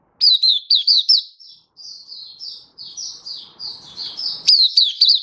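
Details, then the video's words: Oriental white-eye singing: crisp high chirps in quick sets, a softer slurred whistled passage, then another bright burst of rapid notes. "Mata Puteh Happy Buka Sing"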